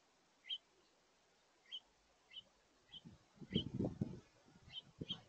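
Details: A house finch family with juveniles feeding at a backyard feeder on a mid-August late morning gives short, bright chirps at irregular intervals. Low thumping and rustling noises from the feeder swell in the second half.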